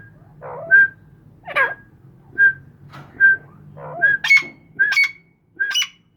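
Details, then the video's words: Grey francolin (Irani teetar) calls from the owner's own birds: repeated clear whistled notes roughly once a second, some preceded by harsh lower slurs, later notes higher and brighter, with a low background hum. "Mairay Teetar Ki Awaz"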